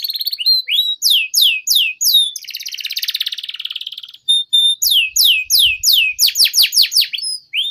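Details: Young canary in long, vigorous song, used as a tutor recording: a long, rapid song of high, sweeping whistled notes and a buzzy trill, with repeated slurred phrases several per second.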